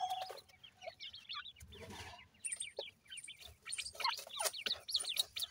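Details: Young francolin chicks, kept and cared for, give many soft high peeping calls in quick overlapping bursts, with a brief rustle in the middle.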